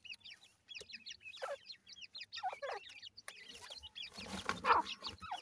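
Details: Feeding chicks of the grey francolin, or teetar, give quick series of thin, high, down-curving peeps in bursts. Louder rustling and clattering noise swells near the end.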